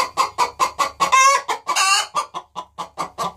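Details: Two hens cackling on the nest box before laying, with banjo music added. Rapid evenly spaced clucks run about five per second, broken by a long harsh drawn-out squawk in the middle.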